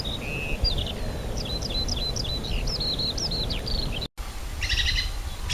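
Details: At Rogozyanske reservoir, Kharkiv region, on 4 April 2010 in spring, birds give a thinner run of high short whistles and chirps, a brief dropout, then a burst of buzzy layered notes over background hiss.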